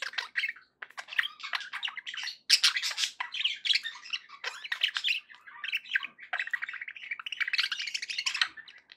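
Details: Pet budgerigars chattering nonstop, a mix of scratchy warbles, squawks and high chirps in rapid bursts, the flock-like babble steady through the whole stretch, indoors.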